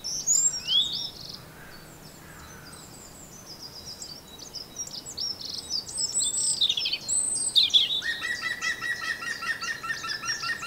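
A robin sings high, thin whistled phrases with quick falling slides and varied notes, ending in a fast, buzzy trill over a soft background hiss.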